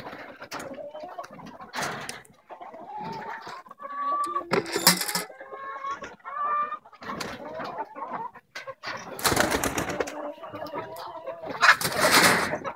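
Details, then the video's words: Morning on a farm in Melbourne, 20 February 2016, as hens emerge to feed: continuous nasal clucking and drawn, wavering calls from several birds, broken by sharp scratching or clattering noises. "El despertar de las gallinas."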